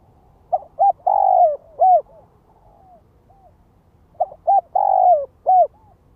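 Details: Lure-bird spotted dove giving calls described as gáy gọi, thúc and kích bổi: two clipped coos, a drawn-out falling coo and a short closing coo, the phrase repeated after about three seconds of quiet.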